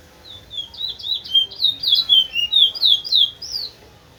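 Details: Large-billed seed finch, a teacher bird used to train other birds, singing in the towa towa style: a rapid run of clear, high whistled notes, many sliding downward, delivered about four per second in one flowing phrase.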